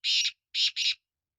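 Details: Three harsh, rasping notes from a black francolin, a long grating syllable with a slight break and then a quick close pair, in quiet surroundings.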